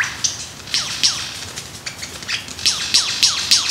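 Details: Male lyrebird in Australia dancing to attract a mate, giving quick repeated downward-sweeping whistles with high clicks, several per second.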